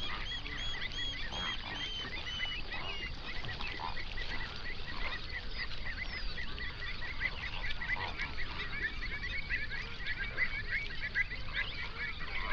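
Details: Large flamingo flock on a lake in an Overberg national park, South Africa, around sunrise, binaural recording; constant murmuring chatter with many short honking notes layered together, a few higher thin calls early on, low background rumble.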